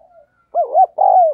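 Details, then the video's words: Spotted dove decoy calling energetically to provoke others: a faint preliminary murmur, then a loud, clear coo of two short rounded notes and a long, level-then-falling closing note. "Chim Cu Mồi Gù Thúc Bổi Nghe Hăng Nên Và Rất Siêng Gáy"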